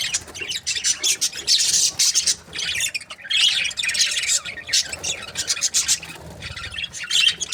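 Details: Breeding pairs of budgerigars produce a constant, harsh, high-pitched warbling chatter in bursts, broken by a short lull near three seconds.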